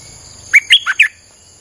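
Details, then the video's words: Streak-eared bulbul phrase used to call in wild birds: four bright, bouncy notes delivered in under a second, the third dipping lower, then silence apart from a faint high hum. "Suara pikat merbah lekir"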